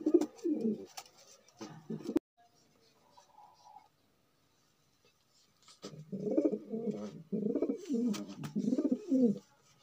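A male magpie pigeon gives deep, rolling coos in two bursts of repeated throaty phrases, separated by a few seconds of near silence in a small room.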